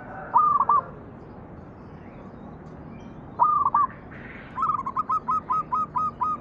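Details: Manggung song of a zebra dove played to coax other doves into singing: two brief bent cooing phrases, then a run of seven evenly spaced, clipped coo notes near the end, against a noisy hissing backdrop.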